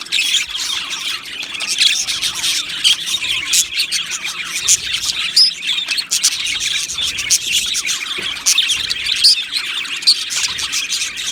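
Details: Australian budgerigar colony in an aviary: a lively, continuous chorus of chirps and warbled phrases, dotted with sharp clicks and a few louder whistled squeaks.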